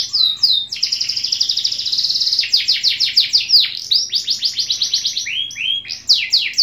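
A canary sings a fast, continuous song of high rolling trills and rapid chirps, changing its phrase every second or so with barely a pause.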